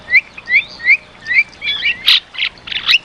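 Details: Vigorous Javan myna song from a tutor recording for caged birds: four rising whistled slurs, then loud harsh grating bursts and a final quick whistle.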